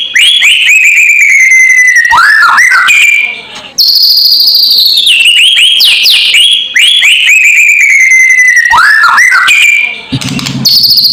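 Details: White-rumped shama delivering a loud kretekan lure to provoke rivals, two similar phrases: a descending whistle with sharp rising flicks, a pause, then a high, rich, tumbling rush of notes.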